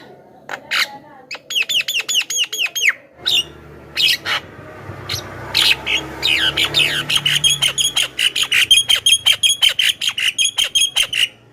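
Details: Javan myna calling as a lure for wild mynas in the forest: harsh squawks and clicks, then a steady series of bright, ringing whistled notes repeated about three times a second, with a low hum behind.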